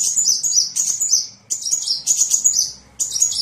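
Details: High scratchy twittering of a sunbird, used for tutoring songbirds, in three bursts of about a second each separated by short gaps.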